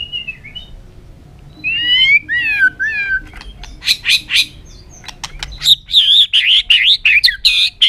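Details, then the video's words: White-rumped shama, in song training: soft wavering whistles, then buzzy rasping notes and loud fluty, warbling phrases, varied and mixed with short harsh bursts. "chòe lửa hót nhiều giọng rừng hay"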